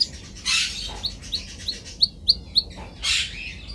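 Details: Canary song from a training recording: a string of short, bright, downward-flicking notes repeated at an irregular pace, framed by two harsh noisy bursts.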